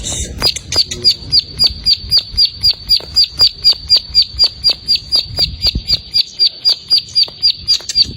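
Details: Untrained plain prinia pouring out a steady series of sharp, high chirped notes, about four per second, evenly spaced through the whole stretch over a faint low background rumble.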